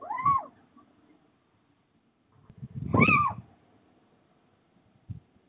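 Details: Pair of little owls on a roof ridge during mating, 29 January 2023: two loud, arched, nasal mewing calls about three seconds apart, the second harsher, with low thuds in between.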